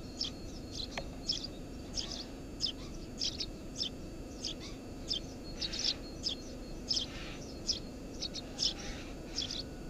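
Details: Eurasian tree sparrow nesting under a house roof: lively run of sharp, high chirps and doubled notes, coming every half second or so, with a single click early on and low background hum.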